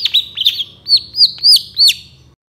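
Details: Master lure recording of a young long-tailed shrike in moult singing full isian song: a few quick chirps, then four loud, evenly spaced whistles, each arching up and down, about every third of a second.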